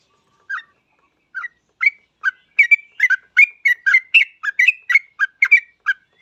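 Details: Yellow-vented bulbul singing as a lure for other bulbuls: a few isolated whistled notes at first, then a quickening run of bubbly, warbled notes in close succession before tapering off.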